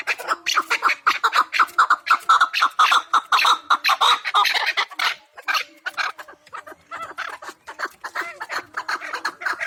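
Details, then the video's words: Hunting chukar partridge from the Pamir, calling with loud, fast, repeated chuk notes, roughly two each second, in a steady cackling series that loosens toward the end. "Кабки шикори , кабки Помир"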